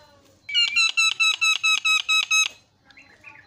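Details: A Javan myna used as a lure to make other mynas call: eight loud, buzzy, evenly spaced harsh notes in quick succession, then quiet warbling.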